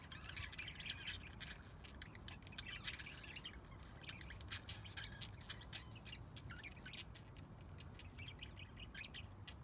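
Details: Budgerigars in an aviary calling together: a dense stream of quick scratchy chirps and squawks from several birds, overlapping without pause, over low background rumble.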